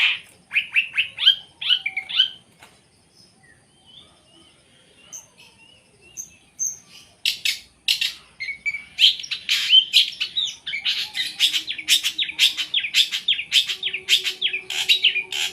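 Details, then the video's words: Long-tailed shrike, a captive songbird with a full, varied repertoire: quick rising whistled notes, then a long busy run of harsh broadband bursts mixed with buzzy and trilled phrases, loud and continuous from mid-clip. "Kumpulan video cendet gacor full tembakan"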